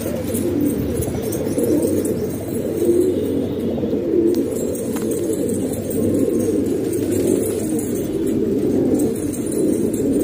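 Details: Pigeons kept at home in Pakistan give continuous low, burbling coos; many birds call at once, making a dense, rolling hum with faint clicks and rustles.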